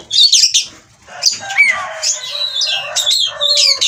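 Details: Oriental magpie-robin in breeding condition singing: varied whistled phrases and sharp high notes mixed with lower warbled slurs, loud and continuous.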